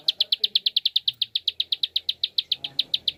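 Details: Rapid clicking of a prinia, used to get other birds singing: dense, evenly spaced bright ticks, roughly eight per second, over quiet low rumble.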